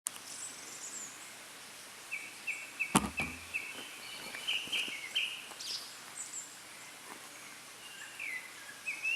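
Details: Japanese thrush singing from a treetop: distant, fluty whistled phrases of varied short notes, given in bursts, with a sharp click partway through and a faint outdoor background.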